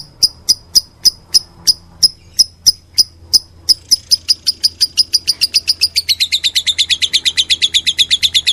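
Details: A lovebird in meloloh style: spaced shrill chirps that quicken after four seconds, merging into a rapid, slightly lower rolling chatter toward the end.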